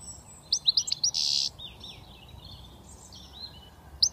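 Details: Young British European goldfinch just starting to whistle: a few quick high chirps, then a brief buzzy rasp, followed by softer tinkling twitters over a quiet background.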